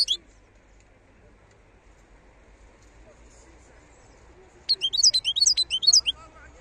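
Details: A wild European goldfinch is heard. After a single note at the start and several quiet seconds, it sings a phrase of sliding, high, twittering notes near the end.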